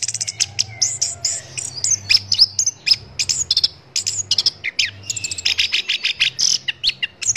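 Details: Orange-headed thrush song in a tutor recording for caged songbirds: dense, rapid high chirps and short whistles in irregular bursts, some notes drawn out; faint low hum underneath.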